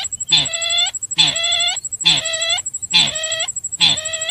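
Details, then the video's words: Calls of the sintar for luring birds: five loud, nasal, buzzy notes with stacked overtones, evenly repeated about every 0.9 seconds, over a steady faint high whine. "suara pemanggil burung sintar"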